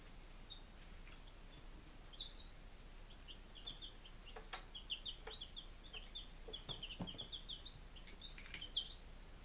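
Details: Chicks five days old, Lunenburg, Massachusetts, July 2017, giving thin high peeps that start sparse and grow into a busy run of rising and falling cheeps, with light tapping noises.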